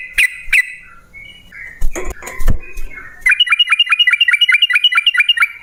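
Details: Yellow-vented bulbul in a lure recording meant to make other bulbuls answer and sing. Scattered chirps and low thumps open, then a fast, even run of short, clipped, dropping notes repeated several times a second.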